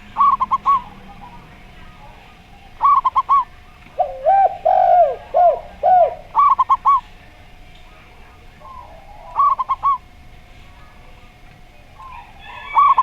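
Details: Zebra dove with a slow-style voice heard alongside a gayer-style spotted dove; rapid groups of three or four clipped notes recur every few seconds, interrupted once by a string of deeper arching coos, over a faint steady hum.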